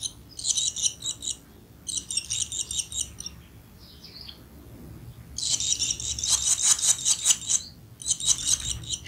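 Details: Barn swallow during feeding of the young, heard as bursts of shrill, rapidly pulsed high twittering lasting one to two seconds each, separated by quieter gaps, over a steady low background hum.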